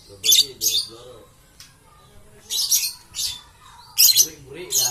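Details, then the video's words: Green lovebird giving harsh, high squawking bursts in pairs, with softer lower chattering notes beneath some calls and quiet pauses between. "Love Bird Green Series"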